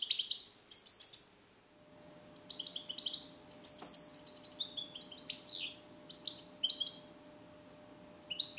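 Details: Song-trained European goldfinch born in captivity in 2021, Neapolitan-style song, caged indoors: lively bursts of high, tinkling twitters and quick liquid trills broken by short pauses, phrases repeating with fast downslurred notes.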